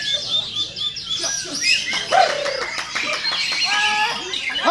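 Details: White-rumped shama song at a singing contest: loud, rich, overlapping whistles, rapid trills and sliding notes from several birds at once, continuous and varied throughout.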